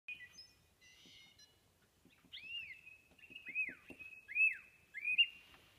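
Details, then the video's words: Thrush singing, with a short high warbled phrase followed by a sustained whistled tone broken by several downward-arching slurred notes, roughly one every second; soft background noise. "Canto Tordo"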